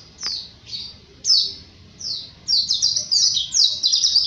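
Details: High-pitched 'ngalas' song of a white-eye kept as a training master: a few spaced descending chirps, then a rapid, dense string of sharp twittering notes accelerating toward the end.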